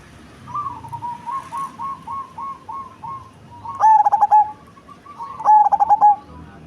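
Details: A softer rolling series of coos at the start is followed by two loud, clipped cooing phrases from a cemani zebra dove. The bird is big-bodied with a large, deep voice, and each phrase has rapid short notes ending in a held tone.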